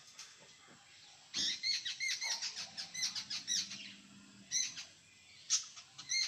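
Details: Jungle babbler in Konkan, India, known locally as kekati, giving bursts of rasping, squeaky chatter: a dense run of rough notes, then separate short harsh calls after pauses, against a faint low hum.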